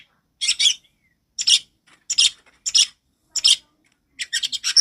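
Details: Long-tailed shrike song used as a lure for training young birds, described as loud and clear: harsh, broadband chattering bursts repeated about once a second, ending in a rapid run of notes.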